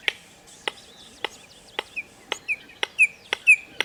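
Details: A ground-dwelling red-crested korhaan (Eupodotis ruficrista) in the grassland and savanna of Kruger National Park gives its repetitive call: sharp, dry clicks about every half second, with thin whistled notes slipping in toward the finale.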